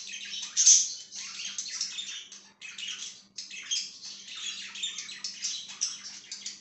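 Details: Pet budgerigar, 5/10/2023: a steady stream of scratchy, buzzy warbled chatter with a couple of brief breaks, one sharp high squeak early on, and a faint hum.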